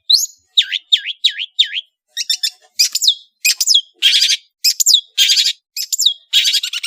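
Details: Long-tailed shrike from Madura delivers a varied song. Five quick looping downslurred notes are followed by a run of broad harsh rasps mixed with sharp whistled slurs.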